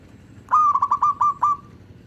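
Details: Local zebra dove singing as a lure for its kind: one crisp phrase of rapid stuttered notes at steady mid pitch, about six beats, trailing into a brief sustained tone, over quiet low background hum.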